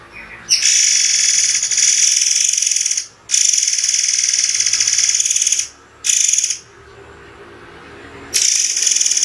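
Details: Sharp, spaced song of a murai air (white-rumped shama): long, dense, buzzy, high-pitched blasts of several seconds each, broken by brief gaps.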